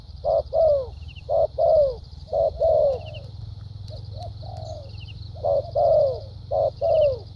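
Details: Spotted dove used as a caged decoy, cooing in the patterned thúc gù and lèo dặm style: clipped note plus drawn-out descending coo, a softer muffled stretch midway, a continuous shrill insect drone behind.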